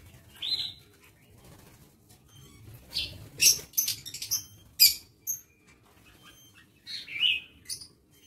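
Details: Lovebirds in an aviary on 22 August 2023, giving scattered sharp, shrill chirps and squeaks at irregular intervals, with soft rustling and fluttering in the background.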